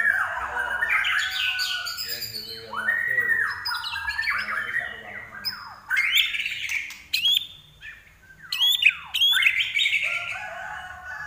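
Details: Common iora in a sustained, energetic song (gacor): a long varied stream of whistles, chattering notes, slurs and squawky phrases with brief pauses, continuing throughout.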